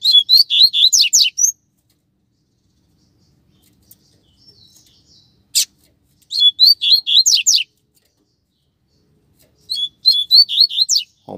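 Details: Outdoors on the street, a Double-collared seedeater of a pair repeats a fast, high twittering phrase of rising and falling slurred notes three times, with long silent pauses and a single click between.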